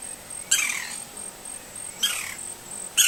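Green-barred woodpecker giving harsh, noisy call notes about every one and a half seconds, over a steady high insect-like hiss.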